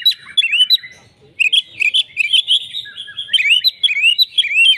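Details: Oriental magpie-robin giving an agitated fighting song, answering at once and singing hard with full material: dense bursts of loud whistled notes, slurred upward sweeps and sharp chips, with a near-silent pause before the rapid phrases resume.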